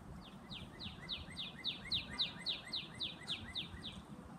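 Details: Brownish female northern cardinal trying to draw in its mate delivers a long, regular series of about thirteen ringing downslurred whistles, about three a second, growing louder midway, over quiet outdoor background.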